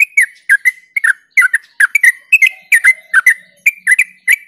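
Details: Yellow-vented bulbul song, used as a lure to stimulate other bulbuls: rapid, bubbly whistled notes around mid pitch, delivered in quick pairs and clusters about two or three per second, with sharp clicky overtones; no other sounds.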